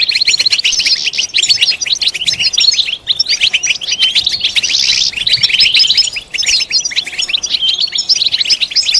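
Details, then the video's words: European goldfinch stimulation song for silent males: harsh, rapid chattering twitter with buzzy stretches and sharp repeated chips, nearly continuous, with two brief breaks. "بتبتة فعالة و ستستة فتاكة رهيبة في علاج صمت الحسون"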